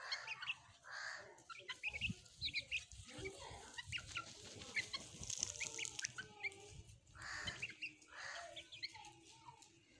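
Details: Domestic hens and their chicks at play, a busy run of overlapping clucks and short rising cheeps, with brief quieter pauses between bursts and a constant low background rumble.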